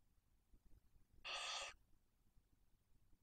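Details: At a Cabañeros National Park nest in Spain, where a male barn owl supplies prey for the female and two young chicks, a single harsh, breathy hiss lasting about half a second rises out of faint background noise.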